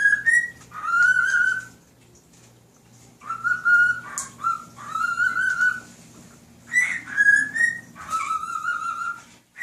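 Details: Whistled rendition of Nights in White Satin by a male pet cockatiel performing for a fish and other birds; bright tonal phrases with slides between notes, broken by short silences.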